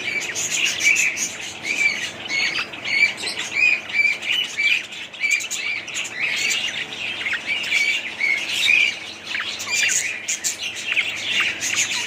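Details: Budgerigars chattering nonstop, a dense mix of short whistled chirps, rising and falling warbles and scratchy notes, overlapping throughout with no clear pauses.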